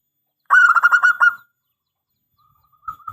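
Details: Local zebra dove (perkutut) in a long calling sequence, used as a lure or tutor recording for other doves: a quick burst of stuttering, mid-pitched coos, then a softer, purring coo after a pause.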